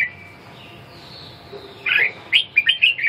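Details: Red-whiskered bulbul: after a quiet stretch with faint high whistles, a bright whistled phrase of quick slurred notes arrives near the end.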